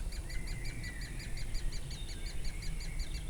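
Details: Woodpecker parents feed nestlings in Durmitor National Park, Montenegro, 6 June 2017. Continuous rapid chirping of short ringing notes is heard, with thin whistled notes from another bird layered over it and low rumbling noise underneath.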